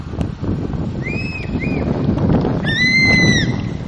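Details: Crested serpent eagle pair calling in an apparent breeding-season duet, seen 18/12/10 outside Kulgi nature camp near Dandeli, Uttara Kannada, Karnataka: clear, ringing whistles, two short arched notes then one longer drawn-out plaintive whistle, over a low background rumble.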